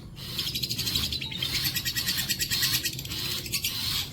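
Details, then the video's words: Long-tailed shrike song meant for tutoring other birds, a continuous shrill, high chattering with thin whistled notes and rapid trills, pulsing in short bursts about every half second. "MATERI ISTIMEWA BOLO PANJANG"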